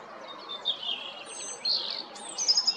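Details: European robin singing in Zagreb, Croatia, April 2022: high warbling notes, a drawn-out thin whistle, then a quick rattled trill of bright staccato notes closing the phrase.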